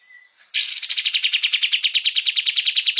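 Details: Kapas tembak, a songbird, in an energetic master song meant for training cage songbirds: after a faint thin whistle, a loud run of rapid buzzy chattering notes repeats about five times a second.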